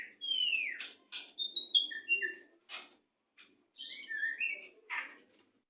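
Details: Fast, tightly packed white-rumped shama song meant to train captive birds that have stopped singing: sliding clear whistles, harsh clicking bursts and quick chattering notes, with a faint low background rumble.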